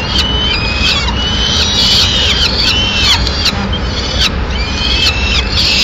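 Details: Female peregrine falcon delivering a pigeon to its nest in Madrid, 6 May 2016. Long, thin, whining notes follow one another almost without pause, some ending in a downward slur, set against steady low noise.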